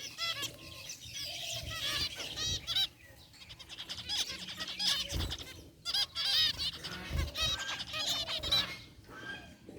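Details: Group of caged zebra finches in an aviary, white and gray varieties including a rare white one, chirping: dense overlapping nasal, honking beeps in rapid bursts, with brief quieter gaps.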